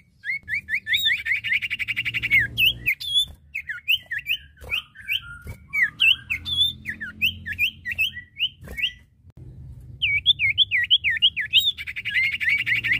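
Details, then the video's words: A male and a female Common Iora sing together: quick runs of high, clear whistled notes that swoop up and down, broken by sharp chips, with a faint low hum behind. "Suara Burung cipoh/sirtu jantan dan betina gacor!"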